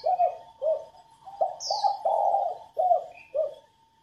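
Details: Coos of a female spotted dove, meant to excite males into cooing. A steady run of about seven low husky notes, one long and swelling in the middle. A faint even tone and a single high chirp accompany it.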